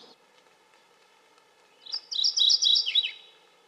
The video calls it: Northern Waterthrush - Bird Sounds